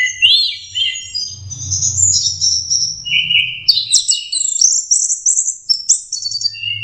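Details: Orange-headed thrush, a young bird practising its song. It gives a rapid, varied stream of high twittering and warbled phrases with quick pitch jumps and short trills, over a soft low hum.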